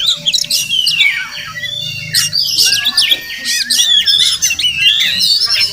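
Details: Wild village Oriental magpie-robin (Murai Kampung), which comes to a home every morning and may have a nest nearby; sharp chips, slurred whistles and a long drawn falling note among scratchy squawks, with faint low background hum.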